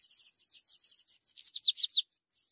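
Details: Fed Ultramarine grosbeak nestlings give a quick hissy chatter of high chirps, with three or four louder, clear rising-and-falling squeaks breaking through in the middle.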